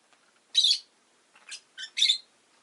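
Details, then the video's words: Pet rosy-faced lovebird calls: a loud, harsh, high chirp, then several softer scratchy chirps, ending with another strong shrill note. "Lovebird Chirping Sounds"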